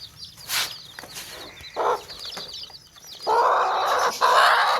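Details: Hens with baby chicks in a tokri basket; a few soft peeps early, then harsh drawn-out squawking clucks swelling loud over the last second and a half.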